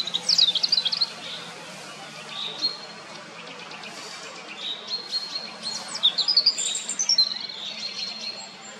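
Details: Song thrush subsong: a quiet, rambling run of soft high chirps, thin whistles and short twittering phrases, scattered irregularly across the recording with gaps between bursts.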